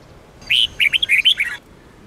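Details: Sông Kôn red-whiskered bulbul song used to train other bulbuls: a one-second burst of a loud rising whistle, then a quick chain of cheerful slurred notes. A thin steady tone sounds faintly behind it.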